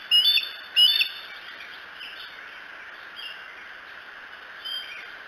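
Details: Bald eagle from the Decorah nest camera, 2 July 2018, around 3 to 4 a.m.; a pair of loud, shrill, slightly descending whistles, followed by quieter, sparse chirps against steady background noise.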